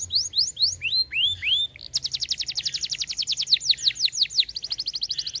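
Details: Lively canary song meant to spur other birds to sing: several rising-falling slurred whistles, a brief pause, then a fast dense high trill with interspersed swooping notes.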